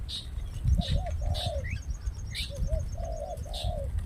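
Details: Spotted dove, used for luring doves, giving soft low coos in quick paired phrases, each a quavering note followed by a longer drawn-out one. Steady low background rumble with brief high chirps.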